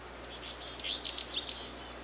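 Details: Twittering American goldfinch song: a short burst of high, varied chirps and slurred notes over faint background hiss.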